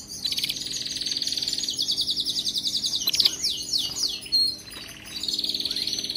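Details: Canary song played to train a pet canary to sing nonstop: long unbroken rolls of fast, high, rattling trills, some phrases sliding downward, over a low background hum.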